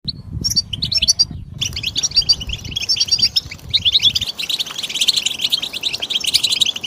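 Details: European goldfinch singing, played to stimulate other birds: a lively, jumbled twittering of quick liquid chirps and trills, mostly high-pitched. Low rumbling background noise fills the first half, and the singing grows denser toward the end.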